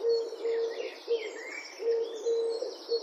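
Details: European turtle doves in Wittlich, 2017, give two quick groups of low, level purring coos, each ending in a short note, with distant bird chatter overhead.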